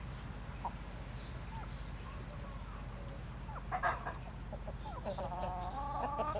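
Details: Seven-month-old Plymouth Rock rooster, large for his age, crowing: a harmonic-rich, sustained call rising and holding steady over the last second and a half, preceded by scattered soft clucks and chatter over a constant low rumble.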